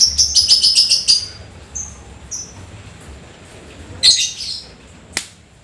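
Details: Lovebird singing after rain in a fast, lively 'ngetik' style: a quick run of repeated high ticking chirps, then a pause, a few faint notes, and a burst of harsh high chatter with a sharp click at the end.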